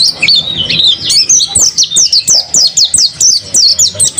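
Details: Crisp, high-pitched chattering from a mountain white-eye kept by a bird keeper, short down-slurred notes repeated in a quick, fairly even rhythm of about three per second.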